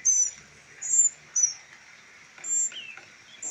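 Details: Young northern mockingbirds rescued as a trio and rehabilitated for release give a few scattered high, thin squeaks, softer and sparser, with a brief lower chirp between them.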